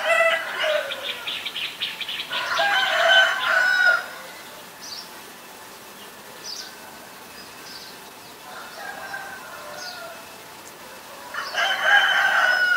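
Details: White-vented myna, Ubon Ratchathani, Thailand, 9 March 2022: loud rasping, creaky chatter for about four seconds, a long quieter stretch with scattered soft notes, then another burst of harsh grating calls.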